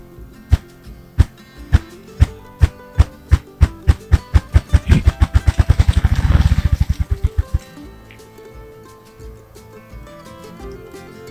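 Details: A Ruffed Grouse drums in Appalachian Virginia on a spring morning: deep, hollow thumps start about half a second apart, speed up into a low whirring roll, then fade away.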